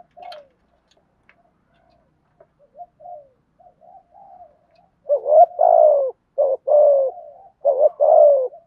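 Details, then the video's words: Spotted dove in thúc gù cooing used as a lure for wild doves. The first half is soft, scattered murmurs. Then three loud, throaty coo phrases follow close together. "Tiếng chim cu gáy thúc gù bài vở nhất hiện nay, chim cu gáy dùng kích bổi rất hiệu quả"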